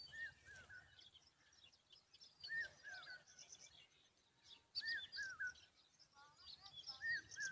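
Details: Common babbler calling to protect its young: wavering whistled phrases near one pitch, sounding about every two to three seconds, with a shorter stepped series late on. Thin high chirps from other birds sound throughout.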